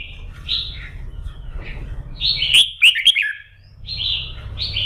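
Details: Red-whiskered bulbul singing its morning practice song, meant to fire the bird up for singing contests: bright warbled phrases, rising and falling, with sharp clicks midway and a steady low hum throughout.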